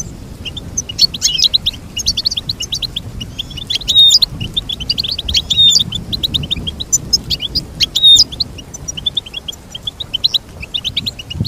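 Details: Long run of goldfinch song: continuous lively twittering with short chirps, trills and occasional bright whistled slurs, over a quiet low hum.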